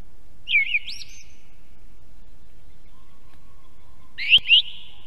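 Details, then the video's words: Song thrush near an Estonian osprey nest, picked up by a live nest camera: two separate bright, looping whistled phrases with rising and falling notes, several seconds apart, over soft low hum. "Певчий дрозд (Turdus philomelos). Song Thrush"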